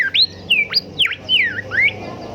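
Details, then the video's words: Golden whistler song used as a master recording for caged songbirds: loud, pure whistled notes that swoop up and down in quick succession, about six in two seconds, over a faint low hum. "Merdunya Kicau Golden Whistler gacor"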